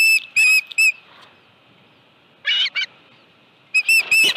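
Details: Osprey at its nest on 25 July 2018 in the late afternoon, with a live fish brought in: a few short bursts of high whistled chirps separated by quiet gaps of over a second.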